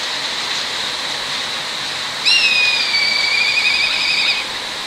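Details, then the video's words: Black kite calling from the top of an electric pole in the middle of rice fields: a single clear, high whistle that dips after its start and then sustains, gently quavering, for roughly two seconds before stopping, with constant broadband hiss behind. "Black Kite Singing on an Electric Pole"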